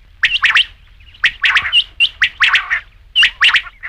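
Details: Rain quail calling, a sound meant for hunting at night: grating, slightly metallic bursts in doubled and tripled groups, about one cluster per second, with faint thin whistles between them.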